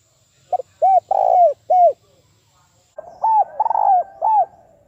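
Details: Lure spotted dove calling in a fast, forceful style meant to provoke wild doves for trapping. Two strong cooing phrases, each a short pickup note, a drawn-out rich coo and a clipped ending coo, the second over a faint background hiss.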